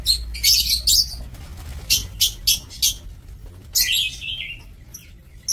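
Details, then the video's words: Breeding lovebirds in an aviary cage, 2 October 2024: shrill, buzzy high chirps, an opening burst followed by four quick separate squeaks, then a descending screechy call near the end over low background rumble. "Aviary Lovebird"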